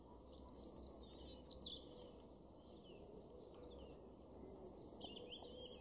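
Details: European robin singing in a garden in Weener, East Frisia, northwest Germany, in March 2023: thin, high, tinkling phrases in brief bursts with pauses, over a steady background hiss of wind or distant noise.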